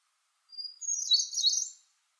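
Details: Hermit thrush singing in a northern forest understory during summer: a pure high introductory whistle, then an ethereal trilling jumble of bright, fluty notes pitched higher still, about a second long, in quiet surroundings.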